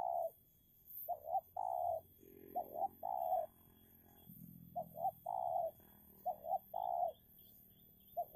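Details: Spotted dove decoy in a heated contest to lure and take down a wild dove. It repeats a phrase of a double short coo, then a long steady coo, several times. There is a soft low hum underneath.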